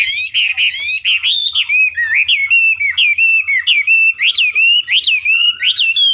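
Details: Chinese hwamei in a lure recording meant to goad rivals into singing back, delivering loud whistled phrases, each a rising-then-falling slur repeated about every half second in a steady, ringing series.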